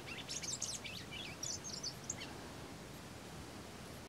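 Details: Rusty-collared seedeater in the Paraguayan Pantanal at Los Tres Gigantes station, giving a brief burst of very high, squeaky twitters and thin whistles during the first two seconds, then only background hiss.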